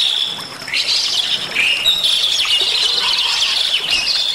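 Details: Bali myna singing vigorously with a varied, filled-in repertoire, meant as a master recording to train and prompt other birds; dense, scratchy chatter with quick rising and falling notes and squawky phrases running continuously.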